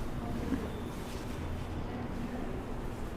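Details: Muffled wind buffeting and low background rumble, with no animal calls.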